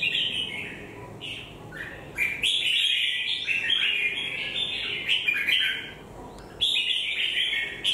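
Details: Red-whiskered bulbul warbling in rapid, liquid whistled phrases that rise and tumble, grouped in bursts with brief gaps, over a steady soft hiss.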